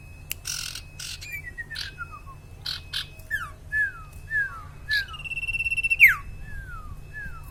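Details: Common iora, known locally as sirtu or cipaw, singing energetically: a run of clear whistled notes sliding downward, repeated roughly every half second, with a quick buzzy trill near the end and several sharp clicking knocks between phrases.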